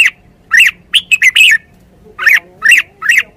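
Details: A Red-whiskered bulbul, kept as a Thai cage bird, sings a loud, clear run of quick, bright warbled notes, then three evenly spaced single notes, over a quiet background.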